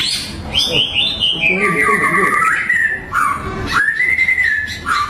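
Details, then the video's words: Vigorously singing white-rumped shama, a provoking song meant to make rival birds react. Long sliding whistled phrases, first high and falling, then a level whistle, a short drop, and a rising whistle held steady. Low background murmur throughout. "LANGSUNG NYAUT MURAI BATU GACOR || PANCINGAN SUARA MURAI BATU YANG BIKIN LAWAN EMOSI"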